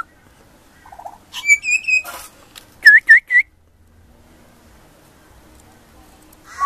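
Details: Baby pied butcherbird singing in a high pitch: a soft low trill, then a long pure whistle, a harsh burst, and three quick rising-and-falling whistled notes, followed by quiet.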